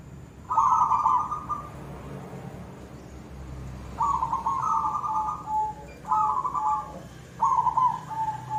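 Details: Koong-style song of a silver zebra dove, or perkutut: four trilled, gurgling coo phrases separated by short gaps, several dropping to a lower sustained tail note, with a faint low drone beneath.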